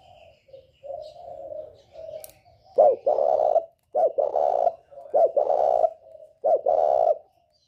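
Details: Spotted dove from northern Vietnam, 'còi bổi' voice used to stir up rival birds. Quiet murmured coos build into four strong, throaty phrases, each opening with a sharp note and then a sustained, rolling coo.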